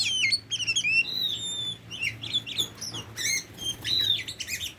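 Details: Tame Oriental magpie-robin singing a varied run of clear whistles, rising and falling slurs and sharp chirps at high pitch, with brief pauses between bursts; a faint low hum underneath.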